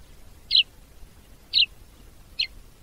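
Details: A sparrow from Africa gives three short high chirps spaced about a second apart, each a brief bright note, over a faint low rumble of background noise.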